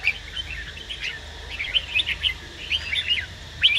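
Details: Male red-whiskered bulbul singing while a female urges him on; quick bursts of bright chirpy whistled notes, scattered and uneven, with a low steady hum beneath.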